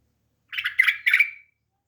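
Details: Bulbul kept as a household bird uttering a short, harsh, chattering phrase in three bursts, ending in a brief drawn-out tail note, with no other sounds.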